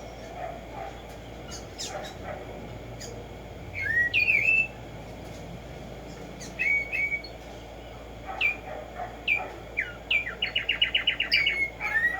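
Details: Song of the Black-striped sparrow, called Tumba Yegua or tico tico, on a morning recording: scattered bright slurred whistles, then a fast even trill of about a dozen sharp repeated notes near the end.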